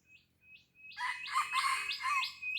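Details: Red junglefowl from Blang Ulam, Krueng Raya, Aceh, described as an old 'laga ori' bird: a broad, harsh crow with several pulsed segments starting after one second, overlapping a smaller bird's quick, repeated high chirps.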